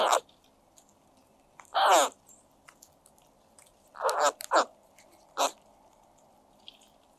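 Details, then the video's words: Crows making unusual happy sounds while eating egg yolk, a new food for them: harsh, raspy, short caws in bursts, one drawn-out grating call near the middle, with faint clicks and background hum between calls. "Crow Makes Happy Sounds When It Eats New Food!"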